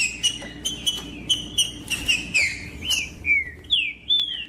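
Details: Green-winged saltator song for stimulating other birds: evenly spaced whistled notes, about one a second, at first level, then sliding downward in later phrases, with a low hum behind them.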